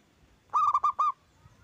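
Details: One loud phrase from a local zebra dove used to draw other doves into singing: four fast, clipped coos on a single pitch, the last slightly longer, then near silence.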